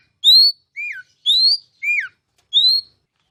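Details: Kacer in ngeplong song, played to prompt captive magpie-robins to sing: three clear upward whistles, each answered by a lower downslurred note, spaced under a second apart.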